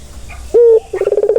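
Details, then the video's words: Barbary dove sound intended to calm stressed doves: a brief clear level coo followed by a quick pulsing rolled trill. "Suara santai yang bisa mengobati burung puter yang lagi stres"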